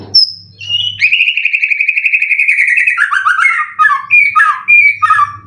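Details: White-rumped shama kept for song contests, winner of 12 events, said to sing full cililin material: a high whistle, then a long fast trill of rattling notes, breaking into varied warbled phrases.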